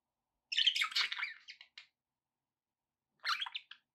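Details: Budgerigar chirping, offered to encourage pet parrots to eat and sing: a dense burst of buzzy, scratchy warbling lasting over a second, then a pause and a shorter chattering phrase near the end.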